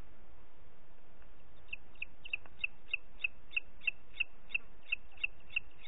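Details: Booted eagle at Parc Natural dels Ports, 30 June 2021 at 11:01: after a quiet start, a steady string of short, bright high-pitched notes, roughly three per second, above soft low-frequency background noise.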